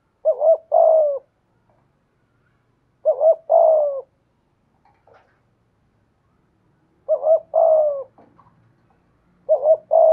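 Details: Spotted dove kept as a decoy, cooing in the 'giọng thổ' voice style. Four mellow phrases, each a quick double-humped note and a longer descending coo, arrive about every two to four seconds. There are faint clicks and a low hum between phrases.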